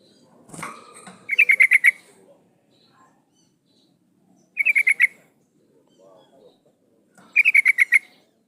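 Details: A female yellow-vented bulbul calls to a male, a lure recording for male birds. After a short low noise at the start come three rapid bursts of sharp, repeated chip notes, separated by silent gaps and a few faint soft sounds.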